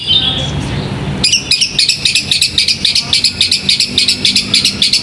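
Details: After a moment of muffled background noise, a caged contest songbird launches into a steady stream of quick, sharp high chirps, repeated about three to four times a second.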